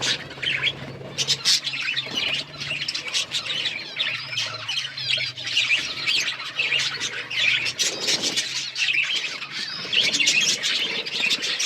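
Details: Several budgerigars chirping together, a dense overlapping chatter of warbling, scratchy chirps and squawks that runs without pause, with a low steady hum underneath.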